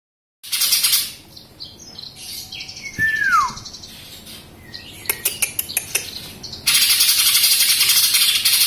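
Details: Young greater green leafbird in Samarinda, a kept bird just past its speckled juvenile plumage and awaiting moult, gives harsh scratchy bursts, a single clear whistle sliding downward, a quick run of sharp clicks, then a long loud hissing rasp.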